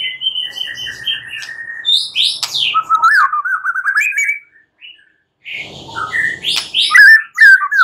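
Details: White-rumped shama at night, a lure to get birds singing loudly: steady whistled notes, then clicks and a rising warbled phrase, a brief silence with soft rustling, and a final burst of sharp whistles.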